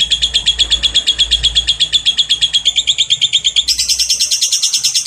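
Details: A lovebird sings as a lure song, giving a long, unbroken chatter of rapid, shrill ticking notes, about eight to ten per second, which jumps to a higher pitch partway through.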